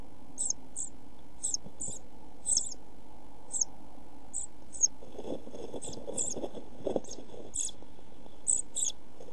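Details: Pied flycatcher nestlings in a nest box on 27 June 2013, suffering lack of food and strong heat; rapid series of very high, brief squeaky cheeps, some doubled, over constant low rustling noise.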